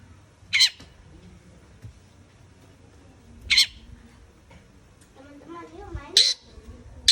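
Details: Long-tailed shrike calling with harsh, scratchy rasps spaced a few seconds apart, followed by a wavering, lower-pitched sound and then two rasps in quick succession.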